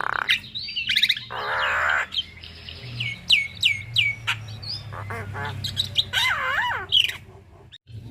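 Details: Javan myna in a long rolling tutor song for training young mynas: a varied medley of high whistled slides, rapid descending chirps, harsh buzzy rasps and warbling wavy notes, with a low hum underneath.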